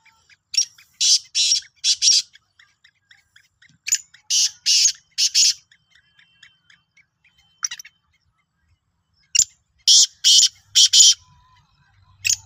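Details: Sindhi black francolin calling on 16 March 2023: two bursts of four to five loud, raspy, grating notes, each phrase about two seconds long and separated by several seconds of quiet with faint ticks.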